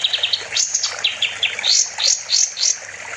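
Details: A songbird-training master of the kapas tembak bulbul: quick clusters of high chips followed by a run of sharp, downward-slurred whistles repeated about three times a second.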